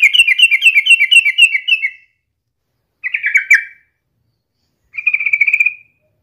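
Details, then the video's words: Sooty-headed bulbul singing actively, offered as a daily prompt for other bulbuls: three short strings of rapid, ringing repeated notes, the first about two seconds long, separated by clear silences. "KICAU SUARA trucukan gacor ini COCOK BUAT PANCINGAN HARIAN agar burung trucuk gacor & rajin bunyi"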